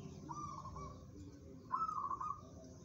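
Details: A local zebra dove, described as tough-spirited and fit for song competition, utters a soft drawn coo, then a louder burst of quick trilled pulses, against low background noise.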